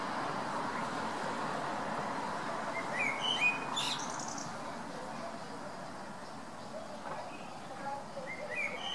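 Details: Blackbird song recorded on December 17, the bird never repeating itself: a short burst of whistled, fluty notes near the middle, then quieter scattered phrases later, over constant hiss.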